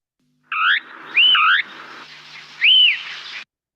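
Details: White-crested Elaenia in Chile, called fío-fío after its song, gives three clear whistled notes, each slurring up then down like 'fee-oo', about a second apart, over a soft steady hiss.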